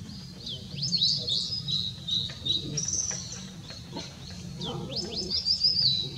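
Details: Blue-and-white flycatcher, recorded 6 May 2016, singing a series of high, clear whistled phrases with quick upward slurs and sharp ticks between them, over a constant low-pitched hum.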